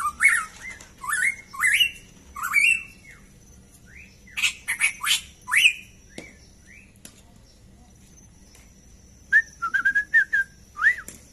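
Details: Caged black-crested bulbul kept by hobbyist farmers: clear whistled phrases, each sliding up and down, given in quick bursts, with sharp high chirps between them and a run of short whistled notes near the end.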